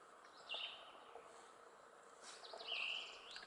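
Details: Tufted flycatcher found in upper Ramsey Canyon on May 22, 2015, the fourth US record of the species; two clear high whistled calls, each a short note sliding downward, about two seconds apart, over steady background hiss.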